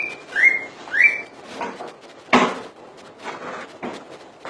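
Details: Common iora giving two upward-slurring whistles in quick succession, followed by a run of dry knocks and rustling clatter, one sharp loud click standing out.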